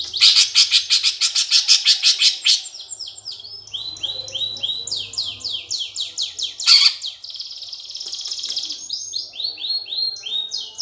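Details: Greater green leafbird fighting song, used as a lure to provoke competition birds: loud harsh chattering bursts open, then long runs of high, quick downslurred whistled notes, broken by another brief rasping burst.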